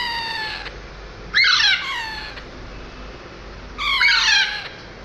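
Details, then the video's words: Parrot calling with two loud, harsh, downward-sliding cries about two and a half seconds apart, each rich and buzzy, after a softer falling note at the start. "Parrot Natural Sounds - Parrot Talking"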